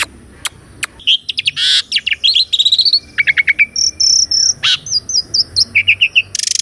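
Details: Caged Asian pied starling song for training: harsh bursts and clicks lead into fast trilled series of high whistled notes, rolling and pumping in quick rhythm.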